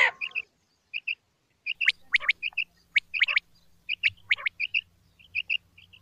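Common quail giving short, bright, clipped notes in quick clusters, mixed with sharper chirps, repeated through the clip over a faint low hum.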